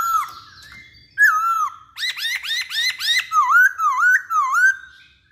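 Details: Chinese hwamei singing vigorously: a soft opening, then loud, rich whistled notes with down-slurred, repeated phrases about four per second, ending in a run of wavy, looping whistles.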